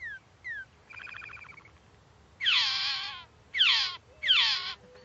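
A Phainopepla gives two quick falling whistles and a brief buzzy chatter, then three harsh, raspy descending calls about a second apart.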